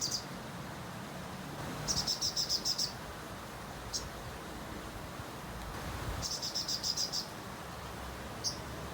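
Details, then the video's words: Sogon bird in full song, meant for tutoring magpie robins. Two separate bursts of quick, high-pitched, buzzy pulsed trilling, each about a second long, are spaced apart by quiet gaps and isolated short notes. "sogon bongkar materi"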